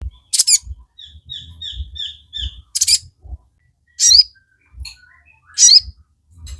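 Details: Crimson Sunbird (sogon) singing energetically, used as a training track to provoke captive birds into song: very high, sharp chirps and descending buzzy notes spaced about a second apart, with a short run of soft repeated whistled notes between them.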